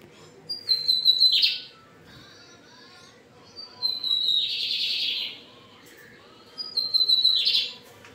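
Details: Lined seedeater from Brazil singing firmly, three phrases about three seconds apart: each a high, slightly falling whistle that turns into a rapid buzzy trill; a constant low background hum.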